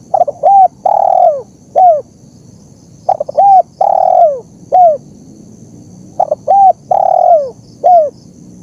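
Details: Spotted dove, a master recording for teaching captive birds or drawing wild ones to call: three even phrases, each with a stuttered double note, a long drawn descending coo and a clipped final coo, about every three seconds.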